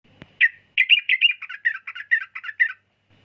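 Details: Sooty-headed bulbul in a burst of about a dozen short, bright chirping notes, roughly five per second, each dipping and rising in pitch, with a single sharp click just before it starts.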